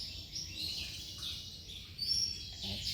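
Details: Male Giboso canary giving continuous high, buzzy song with brief brighter whistled accents near the end, over low rumbling background noise.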